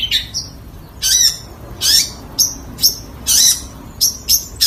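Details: Long-tailed shrike uttering spaced, scratchy bursts about every half second, each loud and high. Some bursts end in a thin whistle.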